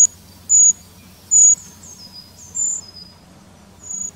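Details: Eurasian treecreeper in the Wittlich valley, giving very high, thin, drawn-out tseee notes, about five spaced irregularly over four seconds, two of them louder and sustained; faint low background hum.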